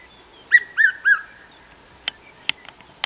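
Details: A red-chested cuckoo in the South African bushveld, a call heard during the summer months, gives three loud, clear whistled notes, each a little lower than the last, the familiar 'piet-my-vrou'. A few sharp clicks follow.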